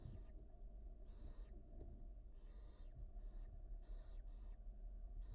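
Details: Barn owl chicks begging during feeding in a wild nest at the University of Florida; quieter breathy hissing bursts, irregularly spaced, partly overlapping, over a noticeable low rumbling background.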